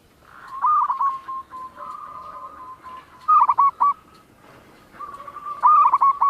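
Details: Local zebra dove singing actively, its coos carrying a distinctive character: short rolling coo phrases near one pitch with quick stuttered notes, a long level trill in the middle and a final bright, clipped burst of coos.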